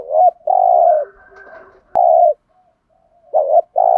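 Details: Spotted dove decoy calling to attract wild doves: choppy sequence of loud hoarse coos, a short note and long coo, a sharp click, another long coo, then a fresh double note and coo starting at the end.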